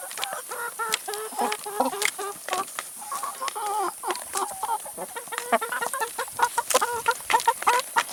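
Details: Chickens eating salad and vegetables, several birds clucking irregularly over one another, interspersed with sharp pecking taps and rustling.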